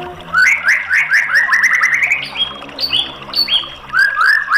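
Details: White-rumped shama song, played to coax a silent caged bird into answering: a rapid run of rising whistled notes, then higher clear whistles and sliding phrases, loud and varied, with faint low hum behind.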